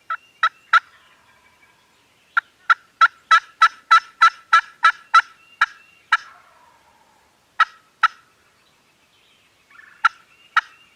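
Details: Turkeys gobbling at a farm, filmed on a Canon G7X: scattered harsh bursts, then a rapid rattling run of about a dozen, then a few more spaced-out bursts after a pause.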